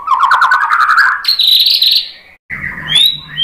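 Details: White-rumped shama singing to provoke other shamas, a fast rattling trill running into a high sustained buzzy whistle, then after a brief gap mixed chirps and rising whistles over a low hum.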